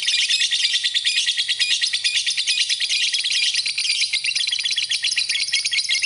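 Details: Lovebird song intended for training other birds, a fast, shrill chatter of pulsing trills at a little over two per second, dense and unbroken for the whole stretch.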